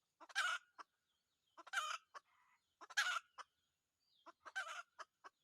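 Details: Red junglefowl, trapped with a decoy, crowing four times in quick succession: clipped, raspy bursts with ticking notes before and after, and a soft wavering sound in between.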